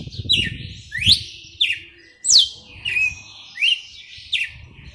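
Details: Red-cowled cardinal, a prized caged singer in a wild-sounding whipping song style: loud sharp downslurred whistled notes and buzzy phrases repeated roughly every second, with low rumbling handling noise underneath.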